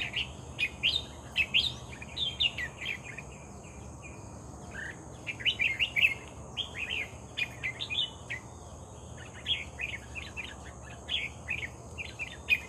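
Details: Red-whiskered bulbul singing energetically after being lured, delivering many short chattering, warbled phrases one after another through the whole stretch, notes rising and falling, against a constant high-pitched background hiss.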